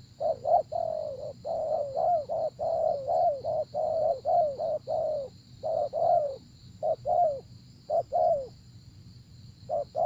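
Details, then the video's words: Spotted dove in a 'gác cu gáy' decoy luring session. A busy run of low, hollow coos, short clipped notes mixed with longer falling ones, delivered in quick succession with brief breaks, over a faint continuous high-pitched hum. "Gác Cu Gáy"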